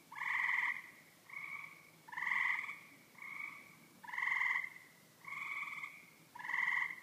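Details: Two birds in a neighbour's tree making a racket: loud, harsh, nasal calls given about once a second, alternating between two slightly different voices, each note about half a second long, with faint background hum.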